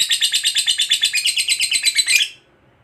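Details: Competition lovebird of the fighter type delivering a long 'ngekek' trill: fast, shrill, evenly pulsed chatter, roughly ten notes a second, ending abruptly after about two seconds, followed by near silence.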